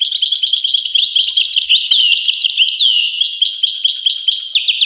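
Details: European goldfinch in full song: continuous tinkling, chattering twitters with several sweeping down-slurred whistles and a short burst of rapid notes near the end.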